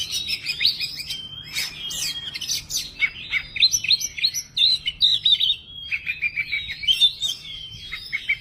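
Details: Oriental magpie-robin (kacer) showing off its repertoire, 'bongkar materi': a varied, rapid song of sharp chirps, short whistles and buzzy trills, phrases changing every second or so, loud and continuous throughout.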